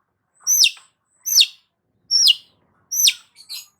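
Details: Long-tailed shrike singing actively, used to stimulate stressed shrikes: four harsh, descending buzzy notes about one second apart, each sliding from high to lower pitch, with a short softer double note at the end.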